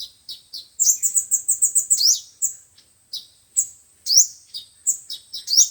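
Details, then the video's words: Sunbird song of the five-colour and seven-colour types, played to lure birds for trapping: a quick burst of ringing high chips, then spaced single chips broken by loud rising slurred notes. "Tiếng chim hút mật 5 màu và 7 màu dùng để bẩy loa"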